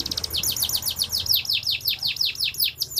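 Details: Canary kept in Comal, Pemalang, Central Java, Indonesia, singing a fast, steady trill of high, sharply descending notes, about six per second.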